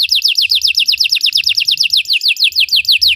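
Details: Belgian canary singing to train other canaries: evenly repeated sharp descending whistles, roughly five or six per second, clear and loud throughout.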